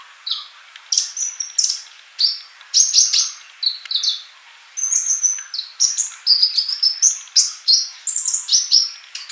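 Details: Male sunbird song for teaching young non-singing birds; continuous high, bright chirps and short whistled phrases, some slurred, delivered in fast clusters with brief gaps.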